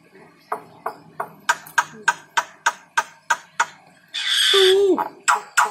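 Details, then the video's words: Starling (jalak), said to like bobbing its head, giving a run of sharp clicking notes about every third of a second, then a loud harsh rasping burst with a dipping whistle, followed by more clicks. "BURUNG JALAK SUKA MANGGUT MANGGUT"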